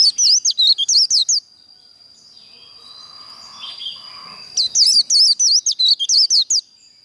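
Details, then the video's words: White-eye performing contest-style líu song for provoking rival birds: a burst of quick, high, zigzagging notes, a pause with faint murmuring noise, then another rapid chirping run, with a constant thin high tone throughout. "Vành khuyên líu đấu"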